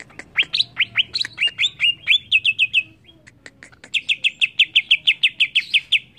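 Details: Greater green leafbird (cucak ijo) singing agitatedly: a lively mix of upswept whistles and quick repeated notes, a brief pause of ticks, then a long steady train of about fifteen fast ringing notes.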